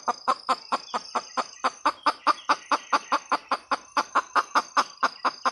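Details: Red junglefowl hen in a rapid, even run of clucks, about two to three per second, each short and hollow-sounding, with a steady high whine behind and no loud squawks.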